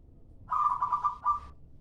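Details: Local zebra dove lure call: a rapid, trilled coo of quick pulses held for about two-thirds of a second, a brief pause, then a shorter trilled burst, over quiet low background noise.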